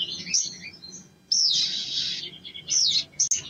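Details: Male sogon (sogok ontong) in full energetic song, given as a lure to rouse other birds: high twittering, then a long loud burst of harsh, rapid chattering, followed by sharp chirps.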